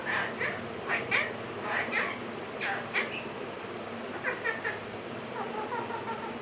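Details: Parrots talking and laughing: a series of short, voice-like harmonic bursts and squawky syllables, some clustered in quick runs, set against a constant hissing background.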